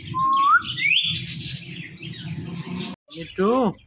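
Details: Pet male Indian ringneck parakeet: a clear upward-sliding whistle, a brief rising note, then a raspy speech-like syllable with bending tones, over steady low background noise.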